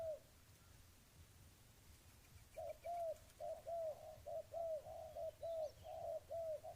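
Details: One low coo is followed by a quiet gap, then a spotted dove launches into a steady run of soft, hollow, paired coos roughly once a second. Low background hum throughout.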